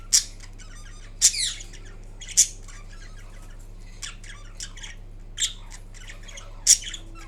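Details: A pet green Indian ringneck (rose-ringed parakeet) making sounds while napping indoors gives sharp, high squawks at irregular intervals, with softer chattering and chirps in between, over a faint low hum.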